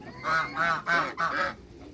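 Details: Four quick nasal honks in a row, evenly spaced, from African and Toulouse geese meeting new geese, then silence.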